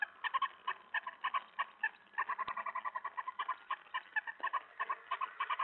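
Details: Owl heard at 2:07 AM on July 25, 2017, as a mouse is delivered during feeding; a quick series of harsh, nasal, harmonic notes comes in uneven bursts, several per second.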